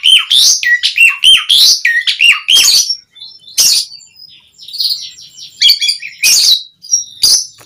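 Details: Energetic Asian pied starling song with full filler phrases, used as a lure for other starlings to reply. Quick whistled upslurs and chirps, scattered harsh rasping bursts, then quieter chatter and more grating notes.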